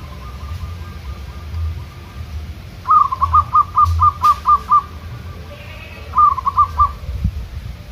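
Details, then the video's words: Zebra dove singing outdoors in a natural training session with wild local doves calling back: faint coos first, then a loud run of about seven rolling notes, followed by a shorter burst of four. "PERKUTUT LOKAL GACOR"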